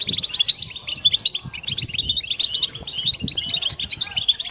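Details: A collective twitter of European goldfinches, offered as a mating-song stimulus for males and females; bright, rapid, bouncing chirps pile up steadily with faint low knocking underneath.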